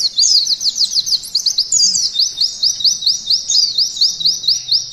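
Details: Mountain white-eye used as a training recording for canaries, singing a fast run of repeated high buzzy-whistled notes, about two per second, steady and rhythmic throughout with no other clear sounds.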